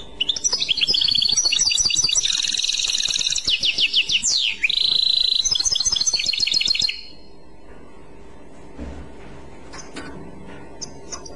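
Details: European goldfinch singing in the Clochette (كلوشات) song style: about seven seconds of dense, high twittering with rapid trills and a drawn-out buzzy note midway, then near silence with a few faint chips.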